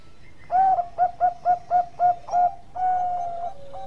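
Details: Singing Bangkok-type zebra dove kept as a master bird: around eight gentle hooting coos at a lively pace, followed by a long level drawn note and a lower trailing tone.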